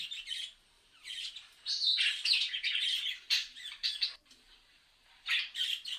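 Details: Budgerigars replying to a phone recording: dense scratchy squawks and buzzy warbles run together in rapid bursts, pausing briefly before a final loud harsh burst.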